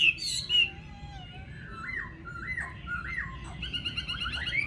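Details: Chinese hwamei, a caged golden-billed bird in a Vietnamese home, giving a few loud whistles, then a series of looping rising-and-falling notes at a steady pace, ending in fast high trills.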